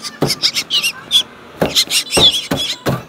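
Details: Hungry black drongo chicks in rural Bengal chirping for food: a rapid series of harsh, high chattering notes in clustered bursts, repeated loudly over a few seconds with short pauses between groups.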